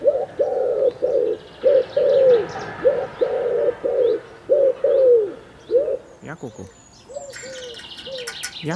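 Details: Common wood pigeon, a male courting his female, gives a steady series of low, hollow coos, about two per second. Quieter clicks, flutters and faint higher bird notes follow near the end.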